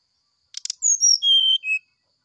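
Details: Morning sulingan song of a brown-chested jungle flycatcher, used as a tutor recording: two short clicking notes, then a run of pure, sustained whistles dropping step by step to a lower final note.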